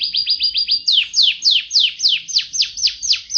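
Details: Yorkshire canary, a long masteran recording for training cage birds, singing a loud, rapid series of high rising whistled notes that then change to repeated downward-sweeping slurred syllables, about three or four per second.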